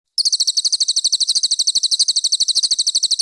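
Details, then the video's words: [2, 'Cililin training song for competition birds: after a short silence, a tight burst of crisp, piercing high notes repeats quickly and evenly, roughly three per second, with no other sounds.'] "Masteran Cililin Premium: Suara Gacor Juara"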